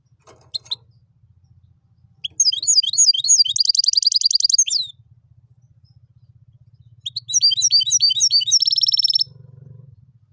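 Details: Hybrid of goldfinch and canary, its song styled tibetano and tuitero: two bursts of varied twittering notes, swooping whistles running into rapid buzzy trills, separated by a pause, over a faint low hum.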